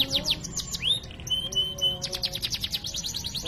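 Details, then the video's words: Constantly singing canary with cengkok mewah song variations, a training recording: quick falling notes, a rising swoop, a long even high whistle, then a dense fast trill, over a faint low hum. "Masteran Suara Burung Kenari GACOR cengkok mewah"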